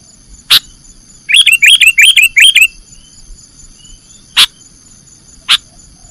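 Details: Sooty-headed bulbul, nggaruda song style for cage-bird training: one sharp note, then a short, even string of about six rolling whistled chirps, followed by quiet and two lone clicks.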